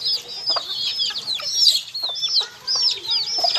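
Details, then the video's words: A brood of baby chicks peeping: shrill, high, arched peeps in uneven bursts, several birds overlapping, with a brief lull near the middle and faint tapping sounds. "HUNI NG SISIW, ACTUAL FOOTAGE CHICKS SOUND"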